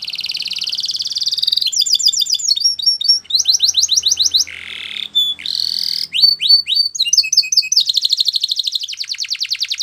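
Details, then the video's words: Spanish Timbrado canary in training song, changing tours every second or so: high buzzy rolls, clipped repeated notes, a lower hollow passage, then a rapid even rattle to the end. "Canary Training Song | Canary Spanish Timbrado"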